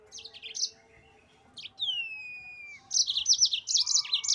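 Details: Singing yellow-fronted canary, a master recording for cage-bird training: quick high warbled notes, a long clear whistle sliding downward, then an energetic run of rapid rising-and-falling chirps with a soft lower tone beneath.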